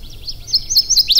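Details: A Northern Waterthrush on territory in swampy black ash, aspen and red maple woods at Sax-Zim Bog, northeast Minnesota, on a sunny, dead-calm morning around 35°F on May 4, 2020, sings loud, high, ringing, emphatic notes several times a second.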